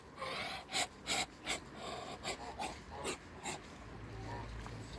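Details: Three Muscovy ducks met up close, giving short breathy, hissing huffs in a quick irregular series of about eight bursts, then a quieter stretch with low background rumble.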